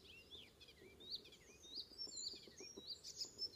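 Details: Icterine warbler singing on the morning of 19 May 2016 north of Hollum, Ameland, Netherlands: a fast, jumbled run of high chirps, squeaky whistles and rising and falling slurs, with a faint low rumble behind.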